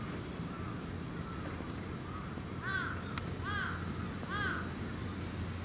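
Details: Crows gathering at an evening roost on a hilltop terrace, young and adult birds together; three loud hoarse caws around the third to fifth seconds over steady low traffic rumble, with fainter caws earlier.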